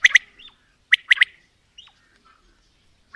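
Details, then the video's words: Female and male quail (batair) calling in a mix: sharp, clipped double and triple notes in short bursts about a second apart, with a few softer chirps between. "Female Batair Calling | Male Batair Sounds | Mix Calling| Batair Ki Awaz | Batair Ki lambi Awazay|"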